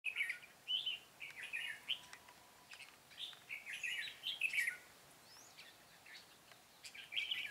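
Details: Red-whiskered bulbul of the 'Cánh bướm' type recorded during trapping on 13 March 2017; short warbled, chattering phrases around mid-high pitch, repeated in bursts with brief pauses, a few faint higher chirps behind.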